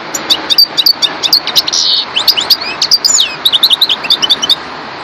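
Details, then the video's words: Lively European goldfinch song with quick chirping notes, a short nasal buzz, and twisting liquid phrases delivered in rapid bursts. "Zenda chardonneret parva"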